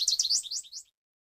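American goldfinch giving a quick run of high, sweet, twittering notes, rising and falling, lasting under a second, then silence.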